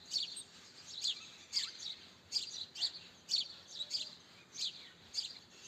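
House sparrow giving short, bright chirps, roughly one or two every second at a steady pace; a quiet background hiss.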